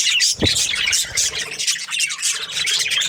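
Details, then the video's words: Budgerigars chirping in the morning, rapid overlapping high squeaks and twittering notes, about three per second, with a brief low thud early on. "Amazing budgies chirping sounds in the morning"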